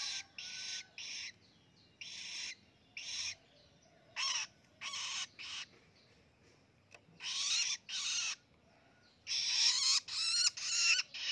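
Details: Young long-tailed shrike, a fledgling now feeding itself, practising its song: harsh, noisy buzzy bursts about half a second long, repeated irregularly with short gaps, some with a faint rising whistle beneath.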